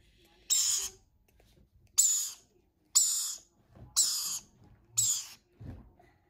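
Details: Baby lorikeets during hand feeding: harsh, hissing rasps, five half-second bursts spaced about a second apart, with quiet pauses between.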